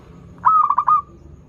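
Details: Local zebra dove, kept as a lure for doves learning to sing, delivers one sweet phrase: a bright note then a quick bubbling roll of pulses ending on a steady tone.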